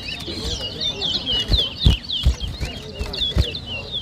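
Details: Competition whistling by towa towa, the large-billed seed finch, at New Amsterdam, Berbice, Guyana, 2023: a quick stream of slurred, rising and falling whistles, with people talking and knocking sounds underneath.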